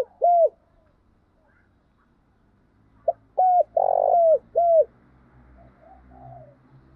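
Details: A spotted dove coos to train decoy birds for trapping: a lone falling coo, then after a pause a quick note, a bent coo, a long rolling coo and a final downward-sliding coo, over a faint low rumble.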